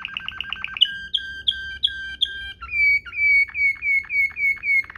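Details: Waterslager-style canary singing a 'ngerol mewah' rolling song, used as a tutor for training canaries: a quick pulsed trill, then clear whistled notes stepping down, then a series of slower, rounded repeated notes.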